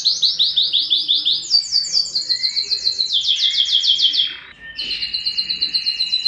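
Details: Yellow canary singing: rapid repeated trills of short notes, first descending phrases near high pitch, then a faster rolling series, a brief pause, and a steady high buzzy trill resuming.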